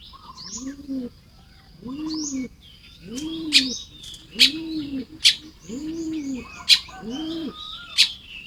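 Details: Baya weavers building nests at dawn in Lopburi, Thailand, 1 May 2026: repeated loud clicking chips, short rising buzzes and squeaky chatter. Deep cooing phrases from a dove-like bird repeat about once per second.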